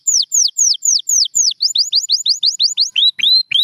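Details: Champion canary in song: a long series of sharp, high, falling whistled notes, about two per second, speeding up, then ending in lower upswept notes.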